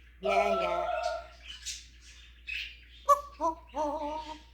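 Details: African grey parrot mimicking words and sounds as part of its repertoire, including snoring, dog, cat and rooster noises: a voice-like harmonic phrase, then short tonal whistled notes with gaps.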